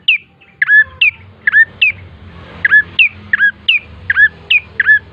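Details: Bar-winged prinia song used to lure birds into singing: crisp, high chirps dropping sharply in pitch, repeated about twice a second in a steady rhythm, with faint low background noise.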